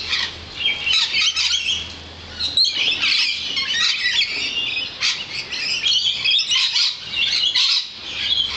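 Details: Lorikeets crowded near a balcony produce a noisy mix of sharp squeaks, grating squawks and brief whistled notes, calls overlapping constantly and swelling in bursts; a low hum fades after the first few seconds.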